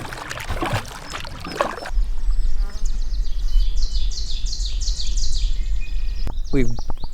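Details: Canada Warbler singing in Sax-Zim Bog on a June 2 morning, near a lake channel and floodplain forest: a quick, jumbled run of high chips and warbles over steady low wind and water rumble, a man's voice at the start.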